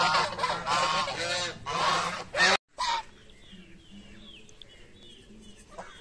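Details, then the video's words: Geese feeding in the morning give loud overlapping nasal honks for about two and a half seconds, then a sudden drop to quieter background with faint distant bird calls and a low hum. "Geese Honking While Feeding"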